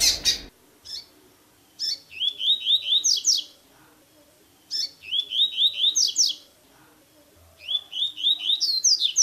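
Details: Blue-black grassquit song played to stimulate or teach a captive bird for the new season: three short bursts of high buzzy rising notes, each a quick run of five or six upslurred chips ending in a sharp flourish, spaced a few seconds apart.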